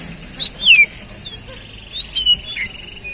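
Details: Oriental magpie-robin lure song for a bird that has stopped singing: two clear phrases, each a sharp high note followed by a whistle sliding downward, separated by a quiet pause.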